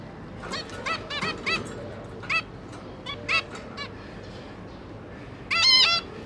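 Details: Parent zebra finches feeding their three newly hatched juveniles, 5 September 2022: a quick cluster of soft nasal beeps early on, scattered single honks in the middle, then one long, loud, harmonically rich call at the end.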